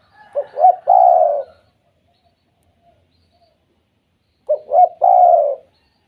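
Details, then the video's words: Two phrases from a spotted dove's 'kuk 2' call, used to make other doves call; each has a couple of clipped hoots before a long, smooth, falling coo, with a quiet gap of about three seconds between. "BURUNG TEKUKUR KUK 2 BIKIN TEKUKUR LAINNYA BUNYI"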